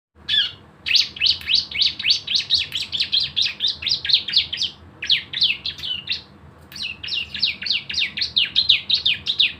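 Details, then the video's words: Javan white-eye singing energetically, used as a lure to prompt other birds to sing: fast runs of high, sharp, downslurred chirps in dense bursts with brief pauses between series. "CISEM GACOR ‼️ SUARA NEMBAK BREN PANCINGAN BIAR BUNYI"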